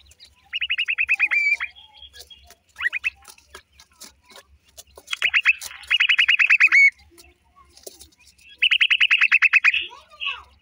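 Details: Black francolin chicks calling in bursts of rapid, evenly spaced peeps, each note sliding down, about eight per second, with short gaps between bursts and faint ticking underneath.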